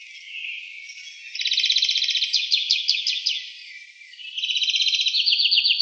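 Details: European greenfinch observed in the town of Wittlich, Germany, in 2018, singing rapid buzzy trills and rolling twittering runs, alternating between fast rattling phrases and wheezy stretches with no pause.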